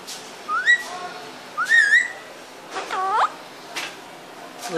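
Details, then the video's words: Parrot vocalizing indoors: two rising whistled slides climbing and levelling off, followed by a short series of curved, harmonic, voice-like calls dipping and rising, then faint sharp accents, in a quiet room. "Raw parrot talking"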